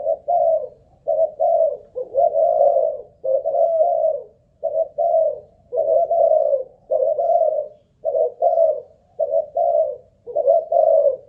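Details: Spotted dove of Malaysian strain kept as a ground decoy, tested for song stamina, coos continuously for over ten seconds in even, low, burred two-note phrases with short regular gaps.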